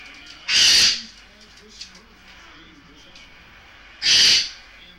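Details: Pet Goffin's cockatoo at play, giving two loud, harsh screeches about three and a half seconds apart, with quiet pauses between them.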